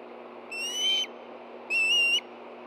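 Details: Wild Ospreys at a nest in Hellgate Canyon, Montana, on 24 August 2013 at 10:46 a.m., hungry birds stirring as a fish is brought in: two loud, high whistled calls, each slightly rising then dropping at the end, over steady background hiss.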